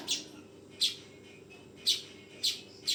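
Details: Young weaver bird uttering five brief rasping chirps in three seconds, loud bursts separated by irregular gaps, with a low steady hum underneath.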